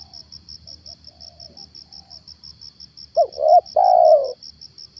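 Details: Lure spotted dove used in the morning to draw down a wild stammering dove: a faint distant coo early on, then one loud phrase of two short notes and a long coo, over constant high ticking.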